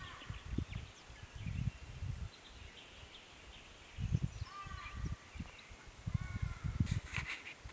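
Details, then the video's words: Nesting Jacky winter, Canberra, 13 November 2017: clear whistled phrases with stacked rising notes near the middle, a brief sharp burst near the end, all over a strong low wind-like rumble. "Jacky Winter nesting Canberra 13th November 2017"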